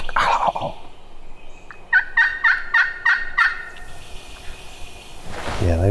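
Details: Wild turkey gobbler on Florida public land on a chilly, windy, overcast, rainy morning, one of a pair responding to hunters' calls, gobbles once: a fast gurgling rattle of about six notes under two seconds, men talking quietly before and after.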